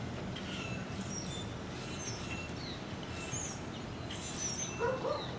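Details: Several hundred Brewer's blackbirds massing in creekside trees at Little Fishweir Creek, 7:50 am, November 2015; a chorus of high whistled chips and short squeals, a lower call near the end, all above a rumbling noise floor.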